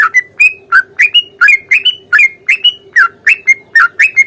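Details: Sooty-headed bulbul giving a provoking fighting song in long ropel style; punchy two-part notes that sweep upward then level into a short whistle, roughly three per second, with a faint steady hum behind.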